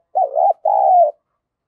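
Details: Decoy spotted dove giving a lure call in the rapid "thổ thúc gù" style. One strong phrase is heard: a short wavering coo, then a longer steady coo that slides slightly downward, with clean silence around it.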